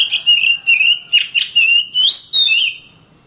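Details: Oriental magpie-robin with a fluid run of whistled notes: seven linked phrases of clear slurs, some dipping and others sweeping sharply upward, closing with a descending whistle.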